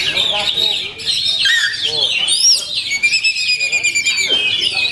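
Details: Oriental magpie-robin singing at full power: dense run of sharp whistled notes, rapid buzzy trills and chattering phrases pitched high, with quick rising and falling slurs and a brief pause before the first second.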